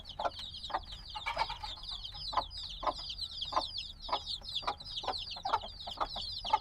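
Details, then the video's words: Black newly hatched chicks chirp as a steady, slightly quieter chorus of high falling peeps, over evenly spaced low thumps and a faint background hum. "Baby Chicks Sounds - Baby Chicken Chirping Noises"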